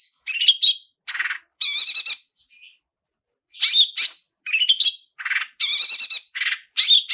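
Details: Long-tailed shrike (cendet) song played as a lure to trigger singing in kept birds, the varied "isian" style: rapid bursts of harsh chattering and whistled notes in clusters, with short pauses between phrases.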